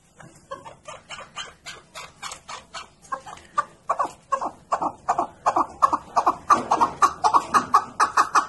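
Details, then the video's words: Keklik, or chukar partridge, delivering a rhythmic series of husky chuk notes that start soft and grow steadily louder and faster over about eight seconds, each note centred in a mid-pitched band. "Овози кабки Маст мархамад тамошо кунед 2020 Голос птиц как поёт горная Куропатка Кеклик"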